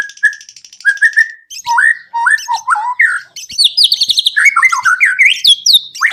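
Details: White-rumped shama song played to set other birds singing: clear, loud whistled phrases with upward and downward slurs, broken by quick chattering trills and higher sweeping notes.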